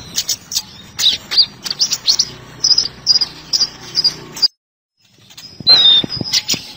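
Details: Sunbird, locally called kolibri ninja, recorded as tutor material for training cage birds. Quick sharp high chirps and twitters come in lively bursts, then a brief silence, then a thin whistled note amid clicks.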